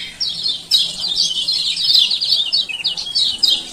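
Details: Continuous high twittering chirps from a Lombok male lemon-bellied white-eye, his 'ciak ciak' calls meant to stir quiet birds to open their beaks and sing.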